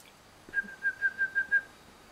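A great tit gives six clear, even whistles on one steady mid-high pitch, about five per second, over a quiet background.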